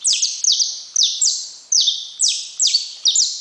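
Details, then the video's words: Rapid series of bright descending chirps from a saffron finch, each note dropping steeply, repeated about twice a second in a steady, chattering rhythm. "Canário da terra"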